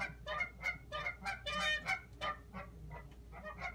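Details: Geese outside a window on March 17, 2017, honking in a busy, overlapping chorus of nasal, reedy honks at an uneven rhythm, with a faint steady hum beneath.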